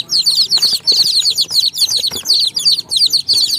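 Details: Many young chicks chirp together, a constant chorus of shrill, short cheeps packed tightly and repeated several times per second, with loudness pulsing in quick waves.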